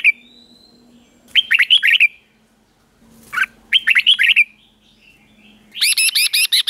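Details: Red-whiskered bulbul in the slow, clear doubled 'เบิ้ล' song style used to teach caged birds; two bubbly phrases of rapid slurred notes, then a higher, harsher run of repeated notes closing the passage over a low steady hum.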